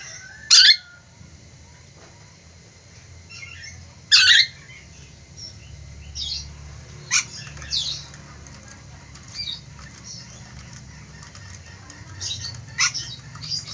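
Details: Chatty ornate lorikeet, endemic to eastern Indonesia, gives two loud raspy screeches early on, then a run of softer squeaks, chirps and scratchy notes, with another sharp screech near the end.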